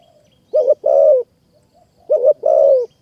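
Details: Spotted dove in Thai mountain forest near Kanchanaburi, responding to a caged decoy. Two deep phrases about 1.5 seconds apart, each a short coo joined to a longer rolling, vibrating note that drops at the end.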